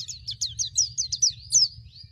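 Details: Wild forest-style white-eye song used as training material for young white-eyes: a quick run of about ten high, sharp, downward-slurred chirps, each separate, over a faint low hum.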